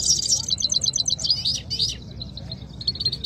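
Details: Canary from a Quetta singing match between two birds. The song is a quick burst of high, tinkling trilled notes that slides into a steadier, repeated chirping phrase, with faint low background noise.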